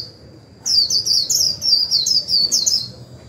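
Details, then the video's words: Japanese white-eye used as a decoy to stir wild-caught birds into song, performing 'líu' warbling: a continuous run of high, sweet, tumbling chirps lasting nearly three seconds over a constant faint whine. "Khuyên mồi líu vừa phải kích bổi líu ngay!"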